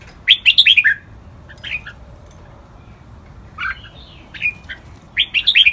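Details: Red-whiskered bulbul singing a lak wai style training song; a burst of rich gurgling whistles, then scattered softer notes and a long pause, ending with another rapid whistled phrase over faint background hiss.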